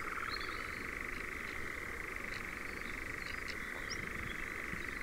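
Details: Nightjars churring in Ringwood Forest, Dorset, near Verwood: a steady, unbroken reeling churr at constant mid pitch, softer here, with a few faint higher chirps above it.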